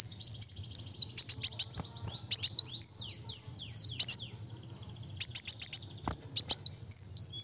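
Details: Fast, tightly packed song of a Van Hasselt's sunbird, suited to luring and tutoring birds: quick stuttering high chirps and falling whistles, roughly four notes a second, with one pause and a couple of soft clicks.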